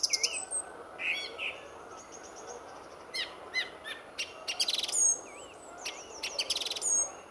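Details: Male song thrush at RSPB Fowlmere, early morning before sunrise in February, near the car park, sings loud, varied phrases of clear whistles, sharp chirps and rapid repeated notes, other birds calling faintly behind.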